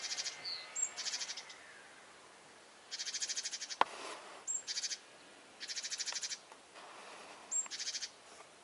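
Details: Great tits scolding a cat that was hunting birds, warning others of danger: repeated harsh churring rattles of rapid clicks in bursts about a second long, separated by short pauses, with a brief sharp knock in the middle.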